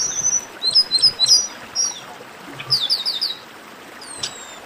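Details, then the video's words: Warm-up chorus of chestnut-capped blackbird song: thin high whistles and short slurred notes, then a quick string of about five chirps, with steady background hiss throughout. "Melhor Esquenta de Garibaldi"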